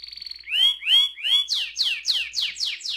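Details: Canary song in a long roll: a brief buzzy trill, then a run of loud downward-sweeping whistled notes repeated about three times a second, rising slightly in pitch partway through.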